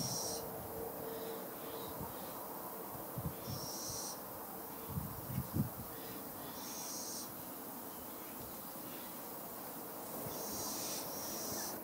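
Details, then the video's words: A fledgling little owl repeats a harsh, airy hiss about five times at uneven gaps of one to three seconds. Faint low knocks are heard in between. "Fledgling Little Owl"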